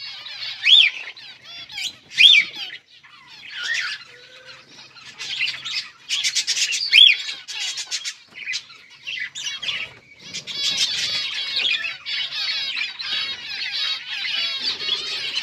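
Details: Zebra finch colony in an aviary setup with nests, recorded 15 October 2023: loud nasal, harmonic-rich calls in short bursts, then a dense overlapping chatter of many birds calling together from about ten seconds on.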